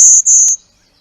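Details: Golden-winged warbler in spring in the Chippewa Valley, a thicket-nesting bird, giving its nasal "golden wing wing" call: two high, buzzy notes in quick succession, the second a little longer, with a faint click between them.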